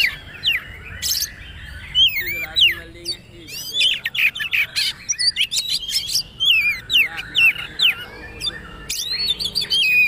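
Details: Oriental magpie-robin of the poci type in trotol style, a master for caged birds: lively mix of crisp whistles, rapid trills and looping notes, with a rich rolling phrase closing the sequence.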